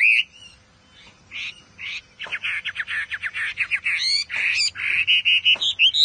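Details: Chinese Hwamei singing intensely: loud, varied phrases of rich slurred whistles and harsh notes, including a fast run of short repeated notes, then strong rising and falling whistled sweeps, with brief pauses between bursts.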